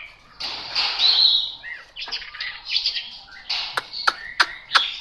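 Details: Chinese hwamei song of bright, varied whistled notes with a quieter warbling middle section. Several sharp dry clicks sound near the end.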